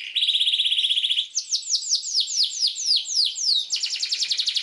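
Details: Long canary song for training juvenile canaries: a fast buzzy trill, then a run of falling slurred notes about four a second, ending in a quick rattling roll.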